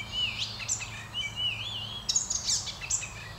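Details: Icterine warbler singing: a rich, varied run of high whistled slurs, wavering rising phrases and scratchy, buzzy bursts that change from note to note, with a low steady rumble underneath.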